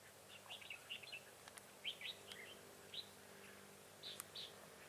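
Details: Red-whiskered bulbul recorded at a trapping session in Vietnam on 25 September 2018, a decoy bird singing in a fight to lure wild bulbuls; faint scattered whistled warbling phrases, several callers overlapping, with soft clicks.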